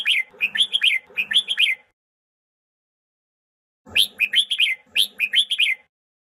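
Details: Training song of red-whiskered bulbul, played to stir birds into fighting song; quick chains of clear, slurred whistled notes in two bursts, divided by a silent pause of about two seconds.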